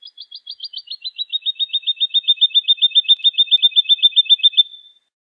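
Woodlark song: a fluid run of about twenty fast, liquid notes at roughly four per second, starting higher and settling into a steady, slightly descending trill.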